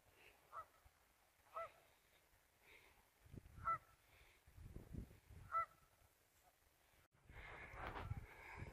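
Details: Geese on a river on a short afternoon scouting trip, 12 11 17: distant single nasal honks roughly every second, with soft thuds between, ending in a burst of wind or handling noise.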